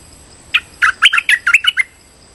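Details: Streak-eared bulbul calling as a trapping lure, delivering a brisk phrase of about eight bright, bubbling chirps within roughly a second, with a soft steady high tone behind.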